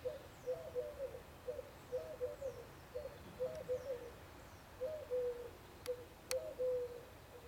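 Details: Woodpecker, possibly a middle spotted woodpecker, early in the morning, giving low, nasal, drawn-out notes in short irregular groups every second or so; faint thin whistles from another bird and two sharp clicks.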